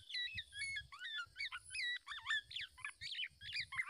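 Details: A Black-naped oriole parent protects its chick from a male that tries to take it, giving a rapid, almost unbroken run of harsh, twisting high chatters and squeals, with soft low thumps like fluttering wings.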